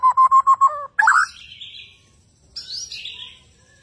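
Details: Newly acquired, very active Bornean white-rumped shama singing: five quick, even whistled notes, then rich, varied phrases sweeping up into higher, slurred whistles.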